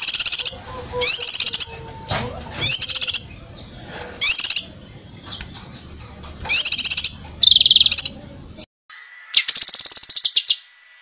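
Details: Sharp master song of a cucak kinoi, used to train contest birds: several loud bursts of fast, piercing high chirps, each under a second, alternating with quieter notes and background murmur.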